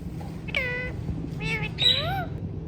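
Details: Hand-tame ringneck parrot giving three harsh, nasal calls within two seconds, the last rising and falling in a short arc, over low background hum.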